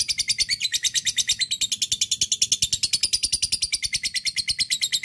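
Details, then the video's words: Lovebird giving long 'ngekek' chatter, calling a rival, used as a lure. A continuous, rapid, shrill series of harsh notes repeats about six times per second, unbroken across the whole clip. "lovebird akan kepancing ngekek panjang"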